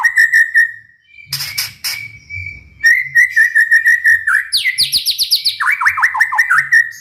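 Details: White-rumped shama delivering a long steady whistle, a few loud clicks, then a rolling series of rapid rising trills and a run of quick descending notes; a low hum underlies the song.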